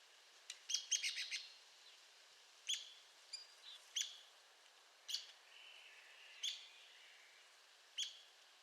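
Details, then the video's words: Arizona woodpecker: a quick rattle of sharp notes opens, followed by single harsh chips about once a second, against a noticeable background hiss. "Arizona Woodpecker Bird Sound"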